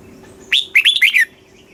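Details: One southern-style song phrase of a red-whiskered bulbul from Thailand, used to stir caged birds and train chicks: a rising whistled note followed by three quick bubbly descending syllables, over a low steady hum.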